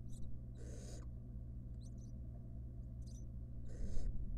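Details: Wild barn owl nest box, a mother caring for her nestlings: two breathy, rasping hisses lasting about half a second, separated by soft high chitters, over a continuous low hum.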